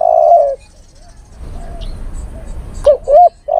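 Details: Male spotted dove calling a female, played as a lure: the tail of one long coo, a pause of soft background murmur, then a sharp short note and a rounded coo starting the next phrase.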